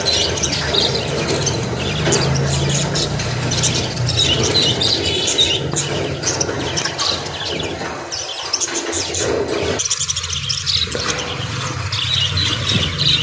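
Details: Budgerigars chatter in a busy stream of squeaky chirps, warbles and short squeals.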